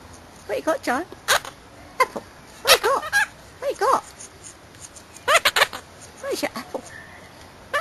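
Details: A pet monk parakeet talks about its apple being gone, chattering in short bursts of imitated human words such as "your apple" and "nice", with squeaky, nasal, speech-like phrases.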